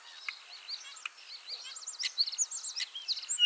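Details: Common starling in Liepāja, Latvia, a Lithuanian-ringed returning bird, delivering rapid high clicks, buzzy rattles and twisting whistled notes, growing louder and faster toward the end.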